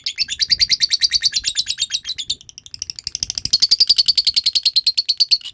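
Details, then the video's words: Lovebird giving a long ngekek trill, used as a lure recording to train other lovebirds: rapid, shrill chattering notes about nine per second, a brief break near the middle, then the trill resumes slightly higher and keeps going steadily. "suara pancingan love bird ngekek"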